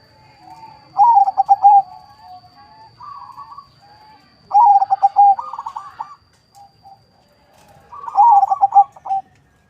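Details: Zebra dove, a local and Bangkok crossbreed from a breeding farm in Bekasi, West Java, Indonesia, sung as a lure bird: three bursts of rapid, stuttering mid-pitched coos ending in a drawn-out note, each burst a few seconds apart.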